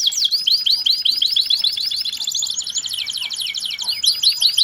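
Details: Canary singing non-stop in a sharp rolling style with shooting phrases, recorded as a tutor song for training birds. Rapid, even rolls of high swept notes repeat many times per second, with brighter chirps breaking in near the end.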